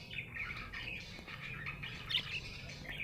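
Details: Happy budgerigar chirping softly, a low continuous chatter of scratchy notes with a couple of sharper squeaks late on, partly masked by a constant low hum.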